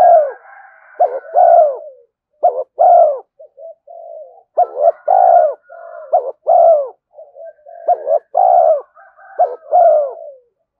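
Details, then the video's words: Spotted dove coos played as a decoy to lure and provoke wild doves: loud low hooting phrases of short notes and a longer falling drawn coo, repeated several times, with softer overlapping dove calls between phrases. "Tiếng cu gáy thúc gù tốc độ/ cu gay kich boi nhanh noi gù"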